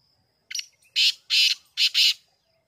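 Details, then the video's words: Black francolin call from 5 July 2023, a brief opening note then four rasping, noisy syllables grouped in pairs, quiet background with a faint continuous high tone. "titar voice"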